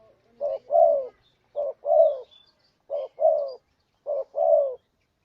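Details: Four rhythmic pairs of spotted dove coos, meant to provoke a rival into answering: each a brief soft note and a longer rough coo dropping in pitch, spaced about a second apart over quiet.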